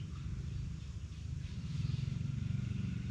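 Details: Loud low rumble of a motor vehicle or motorcycle engine throughout, steady with a slight throbbing pulse, with no animal voice heard.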